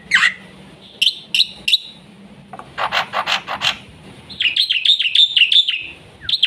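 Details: Black-winged myna full song for luring and tutoring young mynas: a few sharp, separate high notes, then a cluster of harsh rasping notes, then a quick series of bouncing whistles.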